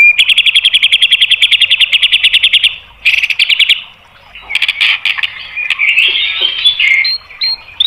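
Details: White-rumped shama song meant to stir other birds into singing: a fast rattling trill, brief harsh bursts, a pause, then scratchy chattering phrases.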